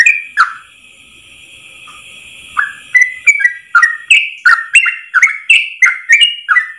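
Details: Yellow-vented bulbul masteran: after two opening notes and a pause of about two seconds, the long rapid 'ropel' song resumes as quick, liquid dipping whistles about three per second, over a faint high hum.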